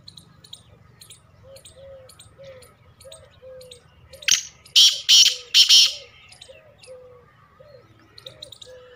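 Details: Black francolin (Francolinus francolinus) in a hanging cage bursts out with four loud, harsh, grating notes in about two seconds, while soft chirps and a low whistled note repeating about twice a second carry on behind.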